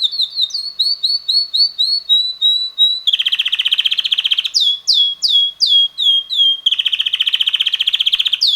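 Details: Energetic song of a red male canary around six months old: a steady run of short whistled chirps, then fast rolling trills alternating with loud sweeping notes, the rolling tour repeated near the end.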